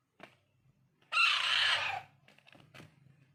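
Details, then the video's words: Raw Alexandrine parakeet chick begging while hand-fed, giving one loud, raspy, strained screech almost a second long, with faint clicks before and after. "Raw , Pahadi parrot Handfeeding"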